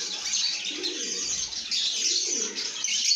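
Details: Lovebirds making happy sounds that show a good mood: dense, continuous high chirping and chattering from several birds at once, with a faint lower murmur underneath.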